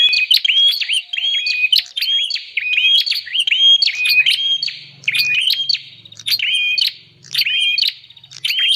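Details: Bar-winged prinia call used as a lure for wild birds: a steady run of whistled notes with clicks, about one phrase a second, plus a faint low hum in the middle.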